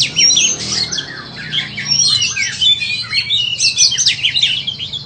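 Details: Song of a white-rumped shama offered for sale: dense, high, fast-changing whistled notes and trills run on almost without a break, with faint low background hum.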